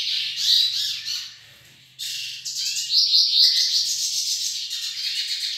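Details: A pair of hooded siskins, Nordeste form, singing: dense, rapid twittering and buzzy chatter high in pitch, with a short pause before a second burst of fast warbling trills; faint low hum underneath.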